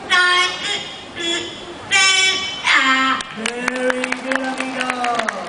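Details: A parrot at a Jurong Bird Park bird show sings a Chinese children's song, "Girl and Mom", in Mandarin: short voice-like sung phrases, then a long held note with rhythmic clicking or clapping behind it.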